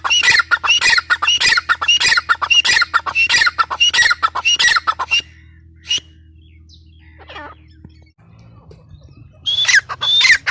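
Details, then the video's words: Grey francolin (teetar) calls rapidly for five seconds in harsh, repeated phrases with slurred whistles, then a quiet gap with a faint low hum, and a last loud burst at the end. "gray francolin teetar sound"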